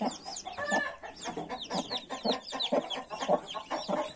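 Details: Mother hen with 31 newly hatched chicks: soft low clucks roughly once a second, overlaid by a steady chorus of thin, high, arching chick peeps.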